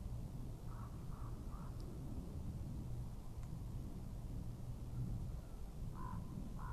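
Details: Common raven heard at a webcam site in Estonia in 2017: three short hoarse calls in quick succession early on, then two more near the end, faint over a steady low rumble.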